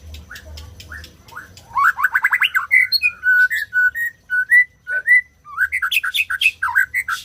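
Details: White-rumped shama singing, played to get silent birds singing: a fast rising trill of loud notes, then evenly spaced clear whistles at one pitch, ending in a lively mixed warble.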